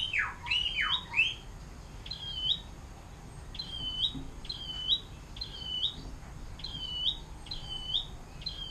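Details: Atlantic canary singing its long 'air mancuran' (fountain water) style song, used to tutor other songbirds: sweeping downslurred whistles open the phrase, then a steady series of short upswept chirps repeated about twice per second.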